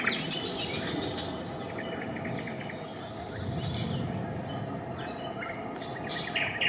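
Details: Eurasian coot family at a nest with chicks, Raszyn ponds near Warsaw, Poland, 4 May 2024: thin, high peeps and short clicking runs over a steady background hiss and low drone.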